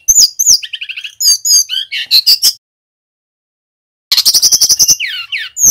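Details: A male brown-chested jungle flycatcher from Bali, kept as a tutor bird, sings loud, rapid phrases of high whistles and trilled chirps, pauses about a second and a half, then resumes with a fast, rattling series of bright notes.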